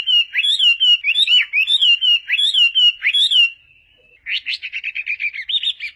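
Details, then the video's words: Wambi giving loud, rising-and-falling whistled phrases, about five in three seconds, then a fast, scratchy twittering run after a short pause; used as a lure to prompt reluctant wambi to sing. "Wambi Gacor Cocok Untuk Pancingan Burung Wambi Malas Bunyi"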